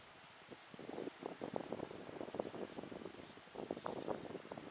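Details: Gusty wind and rustling in short bursts; no clear animal calls are heard.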